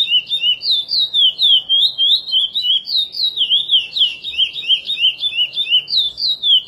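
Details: Chestnut-bellied seed finch (curió) singing the praia song style, an edited recording made for song training (encarte): a continuous, fast run of whistled, warbling notes that swoop up and down, with about three notes per second and no pauses.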